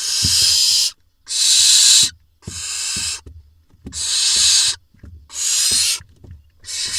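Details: Barn owl young in an Israeli nest box in June 2021, the male bringing a vole that one nestling gobbles; a steady run of rough, rasping hisses, each under a second, with faint knocks in the gaps.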